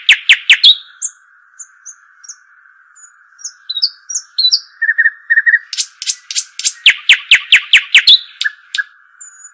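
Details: Shuhaim or dakhal, the Arabian babbler, opens with a quick burst of piping notes, then sparse high whistles and buzzy chirps, then a long accelerating run of loud downward-slurred pipes. A constant hum runs throughout.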